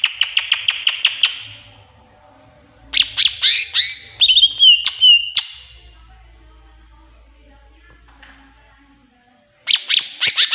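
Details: Cucak ijo, the greater green leafbird, gives a master song with tengkek buto imitation. A rapid burst of about eight staccato notes, then harsh chattering notes and slurred whistles, a long silent gap, and another quick staccato series.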